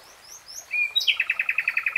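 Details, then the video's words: Common nightingale song: a few soft high slurred whistles, then a sharp note leading into a quick, even rattle of about a dozen loud repeated chips. "BEST NIGHTINGALE SONG"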